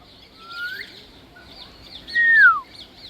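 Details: African grey parrot whistling: a quiet rising whistled note, a tiny faint note, then a loud clear whistle sliding downward.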